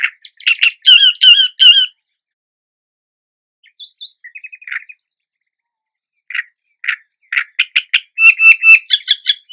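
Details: Great reed warbler at its nest in marshy ground in a nettle wood sings harsh, croaking phrases of rapidly repeated grating notes, in bursts separated by pauses of a few seconds.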